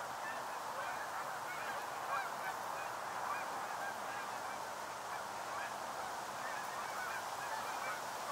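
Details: Fall migrant Canada geese arriving at a stopover in the northern United States; countless honks blend into a steady, unbroken wall of goose calls, few voices standing out.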